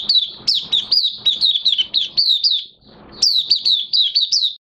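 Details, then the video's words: Oriental white-eye in minor moult singing: bright, high twittering notes in quick, jumpy runs, one long burst, a short pause, then a second burst. No other sounds stand out. "Mata Puteh Kitaro V1 buka sing"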